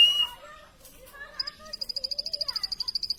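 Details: After a brief whistle and soft murmuring, a plain prinia starts a fast, steady series of sharp high pips that keeps repeating to the end.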